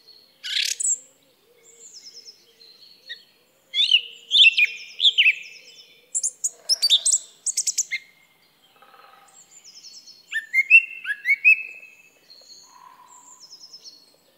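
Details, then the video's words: Song thrush song made of short varied phrases separated by brief pauses: sharp whistles, squeaky rising notes and fast twittering trills, some phrases repeated, all clear against a quiet background. "Song Thrush Bird Sound"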